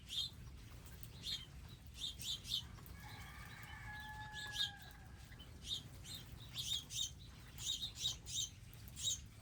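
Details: At a garden bird-feeding area with seeds and water, wild birds chirp irregularly in short high bursts, busier toward the end. A drawn-out harmonic tone sounds briefly early on, and a low rumble runs throughout.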